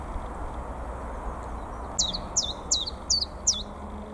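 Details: Chiffchaff singing in March in North East England, among the first returning warblers: after a quiet start, five bright downward-slurred notes in an even series, evenly spaced, over soft background hum.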